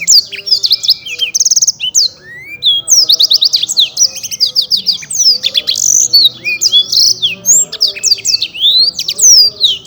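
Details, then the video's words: Champion black-throated canary singing nonstop: rapid high trills, buzzy rattles and sliding whistles packed tightly for ten seconds, with faint lower tones in the background. "Burung Blackthroat Gacor"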